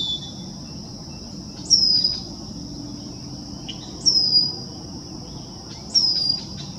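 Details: Male Red-winged Blackbird peeping from the top of a tree in College Park, Maryland, in June 2024: three thin, high, down-slurred peeps about two seconds apart over a steady, shrill insect drone.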